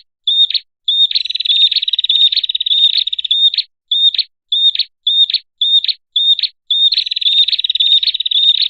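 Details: Red-headed prinia used as a lure: long stretches of dense buzzy trill alternate with runs of separate clipped high chirps spaced roughly half a second apart; nothing else audible.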